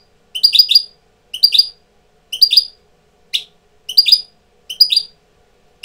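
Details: Goldfinch tutor bird in breeding condition, repeating bright chattering triplets of high chirps about once per second, one sharper single note in the middle, nothing else audible.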